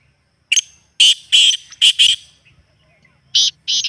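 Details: Partridge call played to stir a kept partridge into calling more: a harsh, loud burst followed by four ringing, scratchy notes in two pairs, then two more bursts after a pause, on a quiet background.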